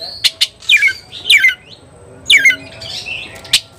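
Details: Oriental magpie-robin in heated, rival-seeking song; sharp clicks and short chattering whistled phrases repeated at irregular intervals with quiet gaps between them.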